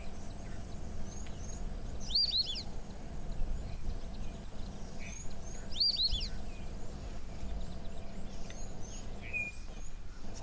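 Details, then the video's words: A recording of the white-faced whistling duck, a call heard from flocks flying past on the Zambezi River, is played at a waterhole: two bursts of clear, high, three-note whistles about three seconds apart over a low steady rumble. "That is a call of a white-faced whistling duck."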